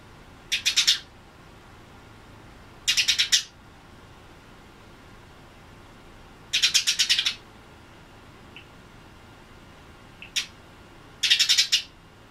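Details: Tame Eurasian tree sparrow calling in short bursts of four to six rapid, high chirps, each burst a few seconds apart, with a couple of single chirps between them and a faint steady background hum.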